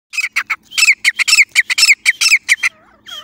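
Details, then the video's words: Partridge call used to lure partridges during jungle hunting: a rapid run of harsh, scratchy notes, about two per second and fairly loud, ending in a short fainter trailing note. "Trap of teeter hunting partridge"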